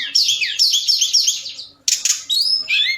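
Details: Forktail lure call at night, intended to stimulate other birds: rapid wavering high warbles, a short harsh burst, then a clear rising whistle.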